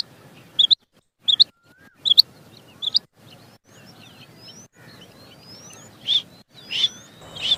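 A female quail gives short, high, chirped double notes repeated about once every second. Fainter whistled notes from other birds sound in the background.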